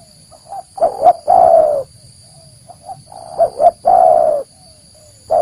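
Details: Spotted dove call played to lure wild doves: soft short notes building into a stuttered double coo and a long falling coo, repeated twice, over a faint persistent whine.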